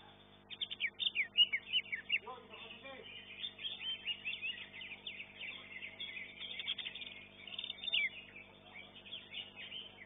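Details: A greater green leafbird at a bird-song contest, placing fourth in its class, pours out a fast, high, chattering song of varied chirps and trills, with other contest birds and a brief human voice in the background.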